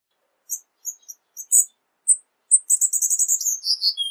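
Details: Cuban bullfinch song variation: scattered very high chips and ticks, then a rapid high trill ending in two descending whistles.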